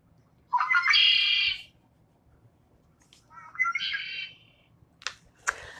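A male Red-winged Blackbird gives two harsh, gurgling songs, each opening with low notes and ending in a buzzy trill, followed by two sharp check notes.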